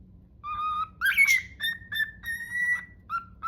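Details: Cockatiel kept as a pet whistling its imitation of the Totoro song, not sung well: clear sustained whistles, one harsh rasping note early, then several held tones with brief gaps and a short final note, faint low hum behind.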